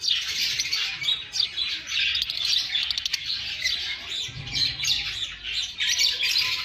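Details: Lovebirds chirping and squawking in nature, a dense flock chatter of high, overlapping squeaky notes running without pause, with faint low rumbling underneath.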